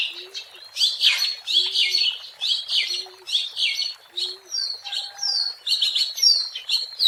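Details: Oriental magpie-robin singing in the wild, used as a lure: bright whistled and scratchy phrases repeated roughly every second, with occasional low soft notes and a few thin level tones.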